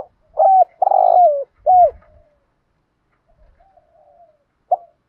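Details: Decoy spotted dove calling the flock in the morning, giving a phrase of low mellow coos, one broad extended note in the middle, then a pause with faint murmurs before a further coo; light thumping noise underneath.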